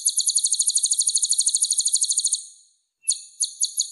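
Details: Sunbird singing energetically, used as a training recording to spur cage birds to sing: a rapid, layered, very high trill of about eight notes a second that fades after two seconds, a brief silence, then a few separate sharp notes.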